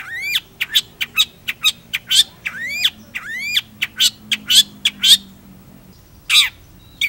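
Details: Long-tailed shrike singing in irregular bursts of rasping, downslurred notes and short sharp clicks, with a pause before a final harsh note; low steady hum underneath.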